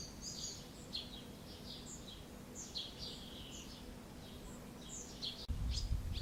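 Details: High, rapid chirps and twitters from barn swallows as a pair feeds a chick, Alzira, Valencia, late June 2016. Calls run nearly continuously, then a sudden low rumbling thump cuts in near the end.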